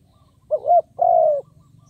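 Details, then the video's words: Caged decoy spotted dove calling to lure wild birds: two low, soft cooing notes, a short wavering coo followed by a longer, level, slightly falling coo, over a faint low hum. "Cu Gáy Kích Bổi Nhanh Nổi"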